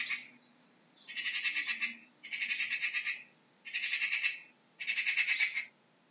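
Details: Magpie rattle call: four rasping bursts of quick, evenly spaced clicks, each burst about 0.8 seconds long, delivered at an even, steady pace with brief pauses between them.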